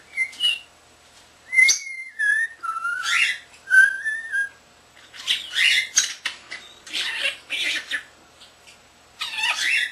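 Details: Young male pet common starling, under a year old, recorded April 7, 2010, talking and whistling: clear slurred whistles rising and falling around a tune, mixed with bursts of harsh, scratchy chatter and clicks separated by short pauses.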